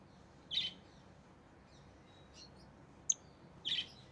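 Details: Rosy-faced lovebirds in orange-faced green and red-headed green forms utter two rough, high chirps about three seconds apart, with a sharp click-like tick between, in a quiet setting.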